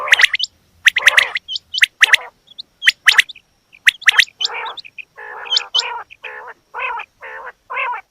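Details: Female quail: clipped high chirps at first, then a series of rough, nasal, gargling notes repeated about once a second.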